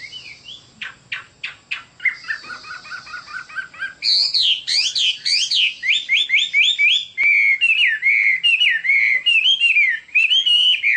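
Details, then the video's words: Chinese hwamei song opening with sharp clicking notes and a buzzy hiss, then breaking into strong, varied, rapidly repeated whistled phrases, swooping up and down, lasting several seconds. "Chim họa mi đẹp và hót rất hay"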